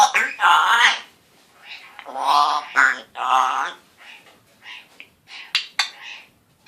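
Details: Pet African grey parrot, male, one year old, speaking early words such as hello and good boy and making a raspberry noise; loud hoarse phrases followed by softer scattered syllables and two sharp clicks.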